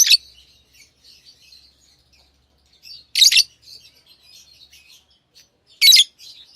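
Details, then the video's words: Pet lovebirds give three loud, harsh, high chirps roughly three seconds apart, with quiet scratchy twittering filling the gaps. "Love birds Sounds | lovebirds chirping sounds"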